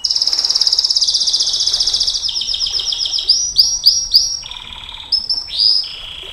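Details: Canary performing 'nembak panjang' long-shot song for masteran and pancingan: a long rapid high trill, then a slower series of repeated downslurred notes and a few sweeping whistles.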